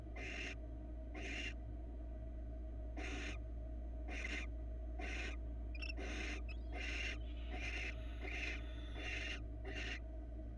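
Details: Barn owl female and two young in a Florida nest box during a mouse feeding; rasping, noisy screeches of about half a second, repeated roughly every second, with a brief faint chirp midway and constant low camera hum.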